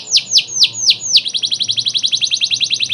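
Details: Canary master song of the luxurious-variation cengkok mewah style, used to tutor other canaries: five loud downward-sweeping whistles, then a rapid even trill of short notes, about four per second, all high and clean.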